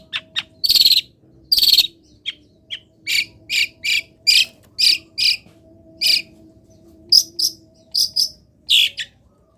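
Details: Caged long-tailed shrike misted and set in morning sun, singing; two harsh noisy bursts open, then a series of sharp ringing chirps roughly every half second with a few gaps.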